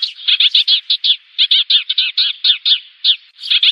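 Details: Sparrows from a 2019 trapping lure recording: a lively series of short, sharp chirps, some doubled, given in quick irregular succession.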